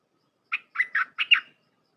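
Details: Red-whiskered bulbul of the Thai 'dok taeng' type, recorded for training young hand-reared birds: a dense 'dok' phrase of five quick, bubbly, warbled notes in about one second, clean with no other sounds.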